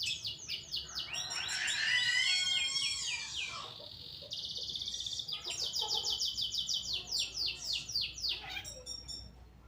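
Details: Long-tailed shrike of the Pastol type in full, lively song, used as a tutor recording for training other birds: a long varied run of rapid chattering notes, sliding whistles and buzzy trills, about four notes a second, loud and continuous.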